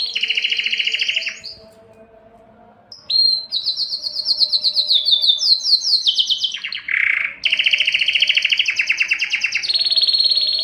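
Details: A canary, given as Belgian but titled Spanish Timbrado, sings long, rapid, metallic trills and rolling tours indoors, loud and clear, shifting pitch between sections with a brief pause.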